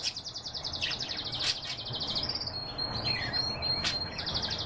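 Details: Canary song opening with a rapid pulsed trill, then a steady high whistled note and chirps, returning to another quick rolling trill.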